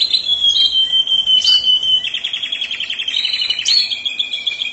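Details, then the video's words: Singing canary, 'mabok teler' style: a long level whistle, then a quick rattling trill, and a couple of sharp high chirps, over a constant noisy background. "Suara burung kenari mabok teler"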